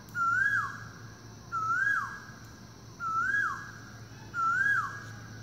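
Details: In a forest in the morning, an Asian koel calls loudly enough to fill the woods, giving four loud whistled notes, each swelling upward then dropping, about every one and a half seconds, over a faint low hum.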